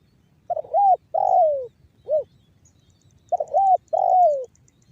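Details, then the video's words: Tekukur, a trained spotted dove, giving banggo bocor cooing meant to make other doves sing: a full phrase of short, long descending and brief coos, then the next phrase beginning, over a soft low background hum. "SUARA TEKUKUR BANGGO BOCOR"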